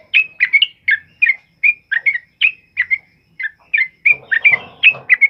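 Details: Sooty-headed bulbul in the loud rapid 'ropel uplik' style, recorded during heavy rain and used as a training song for other birds. Short bright chirps repeat about every half second, with soft rain-like noise entering later.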